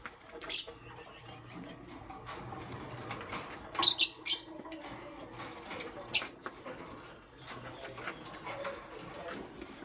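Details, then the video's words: Morning chirping of pastel gray and green lovebirds: bright, harsh chirps in two short groups, with soft scratchy background noise throughout. "Pastel Gray LoveBird Chirping Sound"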